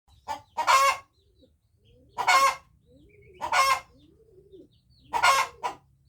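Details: Hen crowing: four short, harsh, raspy bursts spaced about one and a half seconds apart, some preceded by a quick soft note, with faint low rumble between calls.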